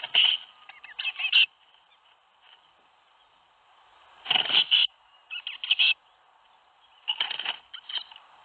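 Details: Young tits calling during fledging from a nest box at Théding, 21 May 2019: loud clusters of shrill, rapid chirps roughly every two to three seconds, with quiet gaps between them.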